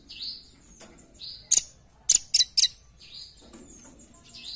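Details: Velvet-fronted nuthatch calling as a lure sound: a few scattered, sharp, very high chips, one single and then a quick cluster of three, among soft downslurred whistles of another bird.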